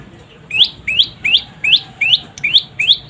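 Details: A juvenile prenjak lumut, a prinia, gives seven evenly spaced, rising chirps, each a quick upslurred note, over a quiet background.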